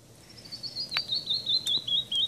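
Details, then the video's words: A young screech owl gives a thin, high, wheezy note that slowly falls in pitch for about two seconds, with a few soft clicks and light background hiss. "Screech owl baby"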